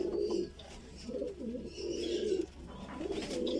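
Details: Feeding of a Voorburg Shield Cropper pigeon chick, a fancy breed from the Netherlands: rough, wavering low warbles in three or four swelling bursts with brief pauses between.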